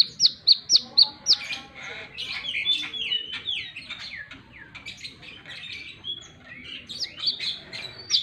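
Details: Plain-throated sunbird in lively wiceh song: five loud, sharp, high chips open, followed by busy twittering of slurred, squeaky notes, and a few piercing chips again at the end.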